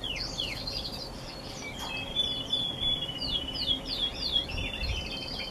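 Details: Canaries singing in November: quick descending chirps and sweeping trills repeated in rapid runs, several birds overlapping against a steady low background hum.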